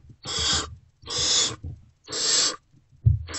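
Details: Unfed great horned owlets in a nest box, with both parents absent, react at 5:31–5:40 am on 3 March 2024 to an adult great horned owl's return. They give harsh, hissing screeches about half a second long, roughly once a second, and a low thump follows.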